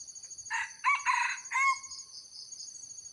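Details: A crow from a red junglefowl, played to draw in wild birds. It has three raspy bursts: a short first note, a longer broken middle, and a final note that trails off. Crickets trill steadily in the background.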